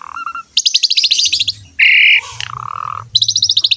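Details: Asian pied starling singing vigorously as a model song for other birds: fast pulsed rattling series, a flat buzzy note, a falling slurred whistle, then more quick rattles.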